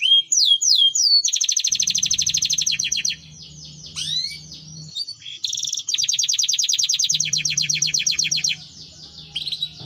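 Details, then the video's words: Canary of the Timbrado breed in full song: quick upslurred whistles, then long fast trills and rattling rolls, with a faint low hum in the background. "Timbrado canary singing beautiful melody"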